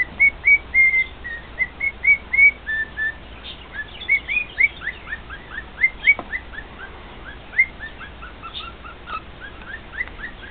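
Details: Pet male cockatiel singing to two other household cockatiels: a long run of short whistled notes, some flat, many rising or hooked, delivered in quick bursts of roughly four per second with brief pauses.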